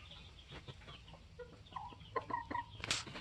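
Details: Polish layer hens, 21 weeks old, kept with their protective rooster; a few short, harmonic clucking notes come in the second half, ending in a sharp noisy burst.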